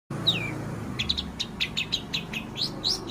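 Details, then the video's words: Four-month-old long-tailed shrike, a young bird filling its song with mimicked calls of the scarlet minivet and canary: sharp chirps and short downslurred notes near 4k, repeated about twice a second after an opening slurred whistle. "cendet usia 4 bulan isian kapas tembak dan kenari"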